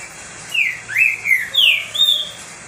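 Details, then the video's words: Green-winged saltator, a pet bird that sings a lot, in a short phrase of four clear whistled notes, each sliding down then rising, evenly spaced about half a second apart over a steady faint hum. "DEIXE SEU TRINCA FERRO LOUCO 🙀 CANTANDO MUITO ESQUENTA TRINCA FERRO."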